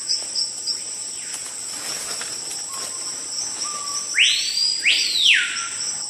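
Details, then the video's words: Capitão-do-mato, the screaming piha, described as a forest alarm at intruders: after quiet seconds of insect hum, two short low level whistles lead into a pair of ringing upswept whistles that fall away. "Som do passáro capitão do mato"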